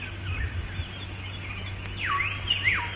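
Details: Hill myna calling in the calm of the morning in Malayan rainforest, recorded late 1950s–early 1960s: two loud, clear, downward-swooping whistles half a second apart, over a steady low hum and faint forest background.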